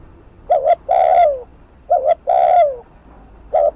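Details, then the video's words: Spotted dove (cu gáy) cooing in the fast thúc gù style, used as a decoy to provoke wild doves: a short doubled note, then a long coo that slides downward, heard twice, with a third phrase starting at the end. "Cu gáy Thúc Gù TỐC ĐỘ kích bổi/kích mồi nổi điên gáy ngay"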